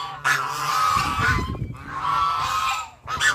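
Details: Ducks calling with long, loud, nasal honking quacks, each lasting about a second and separated by brief pauses, with some low rustling between calls.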